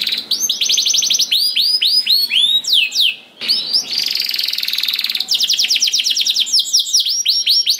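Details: Canary in full rolling song, meant to prompt other canaries to sing: rapid repeated downward-sweeping whistled notes in long trills, a buzzy harsh rattle in the middle, then more fast rolling trills.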